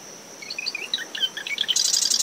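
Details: A marsh wren near its dune-shrub nest at dawn, a windy morning after tropical depression Claudette: a string of quick rising and falling chirps leading into the start of a rapid, high buzzy rattle, over cricket hum and surf.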